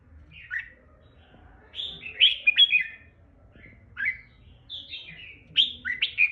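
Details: Red-whiskered bulbul kept on a farm delivers separated, bubbly whistled phrases, each a quick downward-sliding warble, spaced a second or more apart over low steady background noise.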